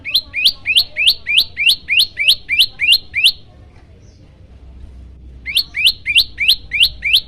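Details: Yellow-bellied prinia song used as a master recording to agitate birds that hear it: quick bursts of sharp rising chirps, about three per second, a pause of two seconds, then the chirping run resumes.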